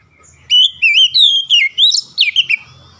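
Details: Oriental magpie-robin delivering one continuous rich song phrase: looping whistles that wobble up and down, ending in sharp high slurred notes, with a faint low rumble beneath.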